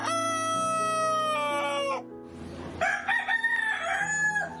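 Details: Domestic chicken on a farm, a rooster crowing: a long, strained, harmonic-rich cry that breaks in pitch and drops at the end. A second rough, wavering call follows, all over steady background music.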